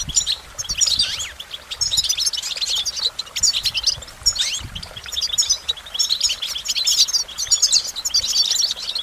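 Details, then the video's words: Goldfinch delivering a long run of fast, tinkling twitters and buzzy trills in surges, with little else audible. "Goldfinch Motivation Performance"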